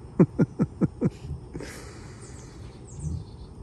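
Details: Male emu in mating season, looking for a nest site, gives five deep, gruff grunts about a fifth of a second apart, a call to attract females that the owner first thought was choking; soft background noise.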